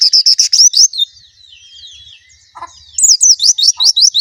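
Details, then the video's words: White-eye song: rapid high, thin chirps repeated in quick bursts, a short quiet gap with one lower chip, then another fast run of bright upslurred notes. "suara burung plecci"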